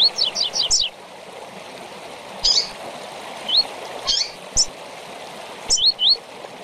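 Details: Tui-tui style from a double-collared seedeater with chip notes, recorded for tutoring young birds. It opens with five rapid descending slurs, followed by chips and lone then paired upswept whistles over a continuous rushing sound.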